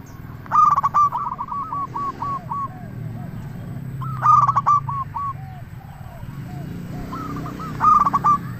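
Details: Zebra dove of local stock singing steadily to lure and excite other doves; loud clipped phrases recur about every 3.5 seconds, each trailing into a string of softer falling coos over a low hum.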